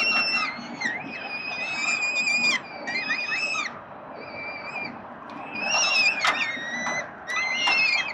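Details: Begging of peregrine falcon nestlings fed by the father, Melbourne, Australia, 30 October 2021: bursts of high, drawn-out, wavering squeals from several chicks, separated by short quieter gaps.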